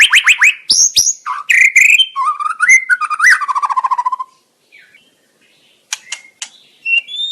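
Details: Varied white-rumped shama song used to stir another bird to sing and attack: quick sharp notes, whistled slurs and a fast descending trill, then softer scattered chips fading toward the end.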